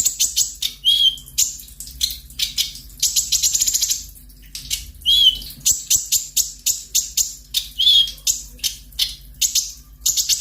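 A sunbird sings a rapid, high, sharp chattering song in bursts of fast clicks and buzzy trills, with a few thin rising whistles.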